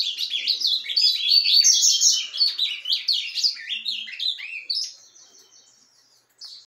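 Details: Ultramarine grosbeak singing surdina, a soft subsong, 10 January 2023: about five seconds of rapid, varied warbling chirps and slurs, then near silence before one short high note at the end.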